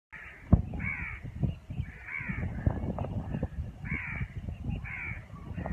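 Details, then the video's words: Birds around neem and moringa trees as winter approaches, giving harsh, hoarse cawing calls in short repeated bursts of two or three, over a steady low rumble. "Birds | song"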